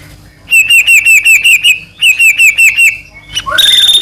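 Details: White-rumped shama singing to provoke a rival shama: two fast trills of about eight clear whistled notes each, then a rising whistle and a high sustained buzz.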